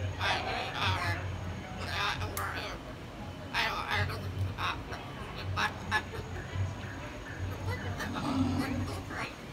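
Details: Samson, a hyacinth macaw at San Diego Zoo Safari Park, talks on 21 February 2021 in short, raspy, speech-like bursts, a few every couple of seconds, over a low background hum.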